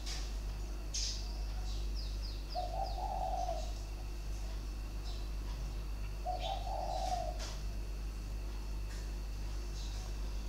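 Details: Caged spotted dove with a sharp voice, three- and four-note song style, 23 February 2020. Two short mellow coo phrases roughly four seconds apart, surrounded by quick high chirps from other birds and a steady low hum.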